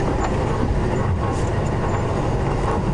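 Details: Loud, constant engine rumble from a vehicle on a morning safari drive, with no animal sound heard.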